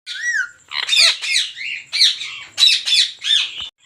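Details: Rose-ringed parakeets at a breeding farm holding 400 pairs: loud, harsh, grating squawks in quick bursts of about a third of a second, several overlapping, with steady squawking throughout and brief quiet gaps.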